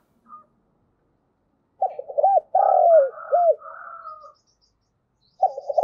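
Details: Spotted dove lure bird cooing in the thổ voice: a hoarse low phrase of short and drawn-out hoots, with a fainter higher churring sound overlapping, then another phrase beginning.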